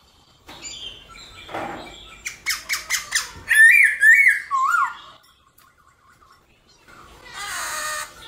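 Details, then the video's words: Morning song of a caged black-throated laughingthrush, meant to stimulate other birds to sing: soft rustling, then fast repeated sharp notes leading into looping whistled phrases falling in pitch, followed by quiet and a harsh hiss. "Khướu bạc má hót đấu kích khướu căng lửa | khướu bạc má hót múa buổi sáng"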